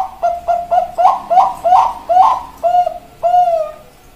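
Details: Bangkok-type zebra dove cooing: about a dozen quick paired notes with rising inflections, closing with two longer drawn-out coos, a faint low hum beneath.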